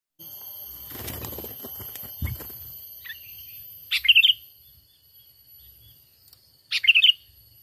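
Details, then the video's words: Sooty-headed bulbul lure call used for trapping, a natural call without mixed-in songs. After a few seconds of low rustling and handling noise, two short bubbly phrases of quick warbled notes come about three seconds apart. "Pikat Burung Kutilang ISTIMEWA Full Gacor,Panggilan Alami Tanpa Isian"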